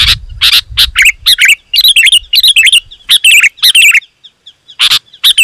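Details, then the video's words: Sooty-headed bulbul song used to lure wild birds closer: loud, dense bursts of short bubbly notes around mid-high pitch, with harsh broadband chip-like strokes between phrases and a brief pause near the end. "Suara Burung KUTILANG GACOR, Rapat dan Lantang Burung Kutilang Liar Auto Emosi dan Mendekat"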